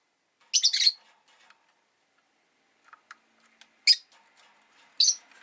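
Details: A pet rosy-faced lovebird gives a rapid, harsh chirping burst, then single piercing chirps, over faint town background noise with soft ticks and clicks.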